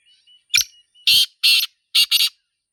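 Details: Wild black francolin (Sindhi teetar) calling in a natural setting: a short sharp opening note, two longer harsh rasping notes, then a quick grating double note, all within two seconds, with a faint thin whistle beforehand.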